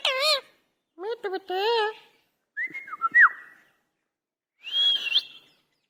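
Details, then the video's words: Angry Indian ringneck parakeet talking: harsh, wavering harmonic utterances, then buzzy syllables, a sharp whistled slide and a rising whistled note, each burst separated by short silences, indoors. "Angry parrot talking/ Talking parrot / Indian ringneck talking"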